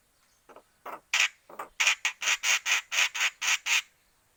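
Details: Angry starling giving harsh, raspy squawks: a couple of hesitant calls, then about ten loud, evenly spaced rasping bursts in quick succession, each roughly a third of a second long, in a quiet setting.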